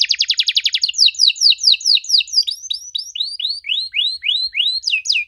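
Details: Canary lure song aimed at getting young canaries to reply: a fast high rattle opens, then leads into repeated downslurred whistles roughly every quarter second that gradually lower and slow.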